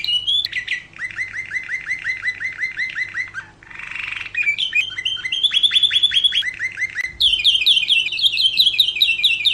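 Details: Canary singing a master song for training other songbirds: a series of evenly repeated chirps, a brief harsh buzzy burst, then varied trilled phrases and quick high repeated notes, all bright and loud over a faint low hum.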